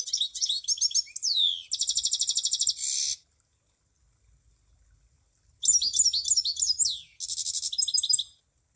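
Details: Javan munia song: bursts of high, thin chirps and quick descending slurs, then a rapid buzzy rattle of even notes, a pause of about two seconds, then the chirps and rattle repeat, with a faint low rumble beneath.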